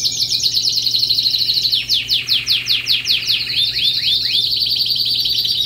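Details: A canary delivers a bright rolling trill, breaks into a series of slower slurred downward notes, then returns to a dense, shimmering trill.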